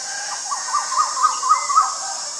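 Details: Male Asian koel calling a quick run of about seven short, clipped notes at steady mid pitch, spaced roughly a quarter second apart and growing louder, over a constant high-pitched hiss in the background.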